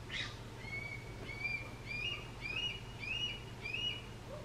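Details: A young Red-tailed Hawk calling for its parents, giving six thin, rising whistled cries at a quick, fairly even pace against a constant low background hum.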